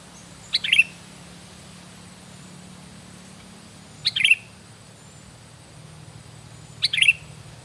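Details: Sooty-headed bulbul calling three times at intervals of about three seconds, each a short burst of two or three bright, bubbly chirps, with faint low hum behind.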